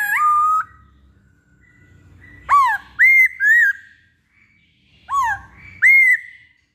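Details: Masked laughingthrush (poksay Hongkong) in full song: loud clear whistles in bursts, a swooping falling note followed by two or three rising-falling whistles, repeated after a pause; quiet background otherwise.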